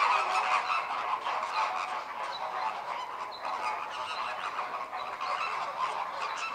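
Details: Flock of American flamingos performing group courtship with head-flagging and wing-opening displays; rapid overlapping nasal honks, around three per second, swelling and dipping in a continuous chorus.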